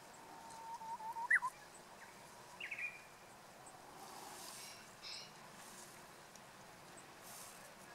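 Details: Japanese bush warbler, its song described as poorly sung: a low steady whistle with small flicks, then a sharp upward note, a second brief rising phrase shortly after, then faint background hiss with distant soft sounds.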